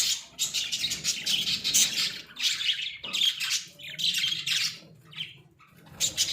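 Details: Caged pet budgerigars, Australian budgies in a small cage, making loud, harsh chirping squawks in rapid clusters, broken by a brief lull near the end before one last sharp note.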